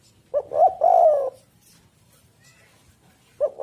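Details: Spotted dove (tekukur) lure call: one full low coo phrase, two short notes then a longer held note, with the start of another phrase at the end.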